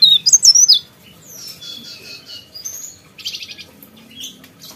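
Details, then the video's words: A sooty-headed bulbul in a small room gives a quick burst of bright, high whistled notes, then softer chirps and twittering phrases. "PARE PARE GACOR"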